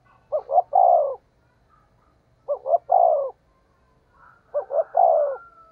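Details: Spotted dove decoy coo, 'thúc gù' in the 'giọng thổ đồng' style at speed. Three evenly spaced phrases, each two short notes and a longer descending coo, with a faint low hum beneath.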